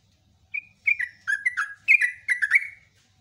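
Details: Sooty-headed bulbul singing a long lure phrase: a soft lead-in note followed by a building sequence of bubbly, warbling whistles.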